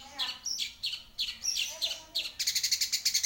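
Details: Long-tailed shrike singing a few slurred, descending high notes, then switching to a fast, even trill of sharp chirps.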